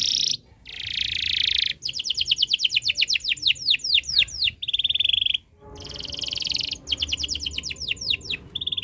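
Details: Singing canary in breeding condition, meant to get other birds singing: buzzy rolls alternate with fast series of sharp descending sweeps, phrases separated by brief silences, all high-pitched and varied.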